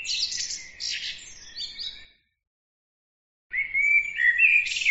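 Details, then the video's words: Small bird singing: a rapid, twittering phrase of high chirps and trills that stops, followed after a short silence by a second bright, warbling phrase with whistled notes. "bird عصفور"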